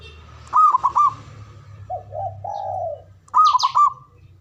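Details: Male zebra dove giving the ngoar manggung call, used to stimulate mating arousal: a burst of quick bubbling coos, then lower drawn-out, softer coos, and another rapid bubbling phrase at the end, with faint low background hum.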